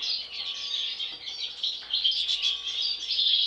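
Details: Steady, high, chattering twitter with jangling buzzy notes from European goldfinch siblings, two of which have had an atypical face mask from birth; intensity rises in the second half.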